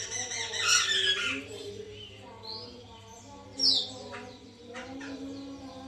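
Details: White-crested laughingthrush used to encourage a captive bird to sing: a loud raucous cackling burst in the first second and a half, then softer notes and a sharp short cry midway.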